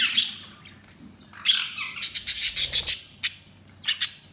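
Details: Budgerigars chirping busily: bright warbled chirps followed by a rapid run of clicking, ticking notes, then two more quick sharp clicks.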